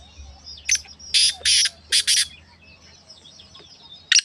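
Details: Black francolin kept as a pet, in winter; a call meant to be played to a silent pet francolin to get it calling. Harsh, grating bursts come in a tight cluster of four or five, then one more after a long pause.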